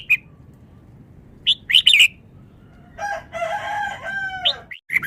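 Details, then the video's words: A Vietnamese red-whiskered bulbul in a cage sings rapidly: scattered sharp bright chirps, then a longer, lower drawn-out harmonic phrase ending in more quick bright notes. "นกกรงหัวจุก จ้าวมาเฮง นกเวียดนาม ร้องรัวรัว"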